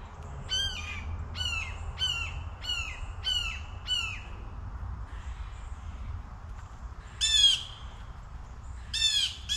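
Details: A Blue Jay on a windy day gives a quick series of six harsh, descending jeer calls, then two louder ones after a pause, over a low rumble of wind.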